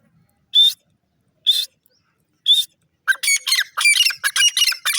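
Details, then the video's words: Grey francolin calling: three short, harsh, high bursts about a second apart, then a rapid, dense run of grating, scratchy notes. "pardrige bird sound, gora teetar ki awaz"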